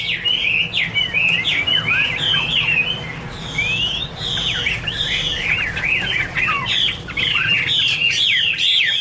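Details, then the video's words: Chinese hwamei delivering fast, varied song: sharp rising and falling whistled notes tumbling together in quick succession, with a few broad noisy bursts and a low background hum. "Birds Garrulax canorus: Singer yellow mouth - wonderful birdsong"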